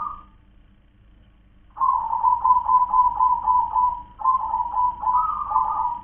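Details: Local zebra dove, kong-klar-ke-tek-kong song type, here heard as a fairly quiet run of pulsed, purring coos repeated several times a second after a brief silence, with no loud opening phrase.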